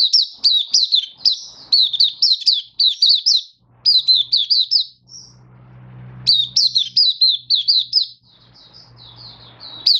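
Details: Mata puteh, the oriental white-eye, singing a happy 'buka' song display on 24 February 2023; long strings of sharp, high twittering notes that bend down and back up, delivered in fast phrases with short gaps and a faint low hum beneath.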